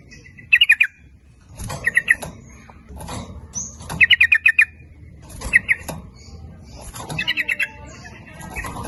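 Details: Sooty-headed bulbul lure song meant to attract both males and females, delivered in the fast 'nguplik ropel' style: bubbly, liquid phrases of four to six quick notes, repeated about every one and a half seconds, with faint background noise.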